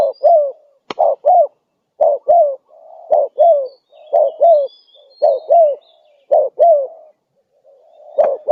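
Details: Spotted dove calling persistently, recorded to lure other doves: repeated low coo pairs and occasional longer drawn-out coos in a fairly even rhythm, with faint high twitters from other birds and a sharp click.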